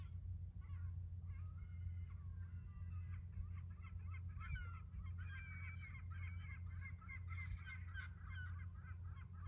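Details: Seagulls calling at sunrise on the Baltic Sea shore on an almost windless morning: a rising, quickening run of sharp, repeated yelping notes. Steady low rumble of distant ships throughout.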